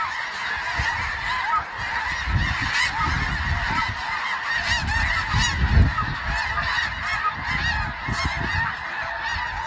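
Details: A big flock of snow geese calling together: a continuous chorus of shrill, nasal honks, with a few sharper yelps standing out near the middle, and low wind rumble underneath.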